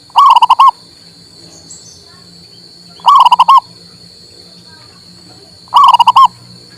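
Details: Local male zebra dove cooing to rouse a bird that will not sing: three phrases of fast, rolling mellow notes, roughly every two and a half seconds, against a faint continuous high tone.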